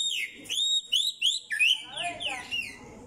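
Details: Mockingbird song delivered as a rapid run of varied whistled and slurred notes, some rising and some dropping, flowing almost without pause, with faint low background noise.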